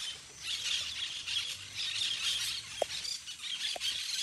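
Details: A flock of parakeets playing in the trees keeps up a dense, high, harsh chatter of overlapping screeches, with two brief lower squawks near the end.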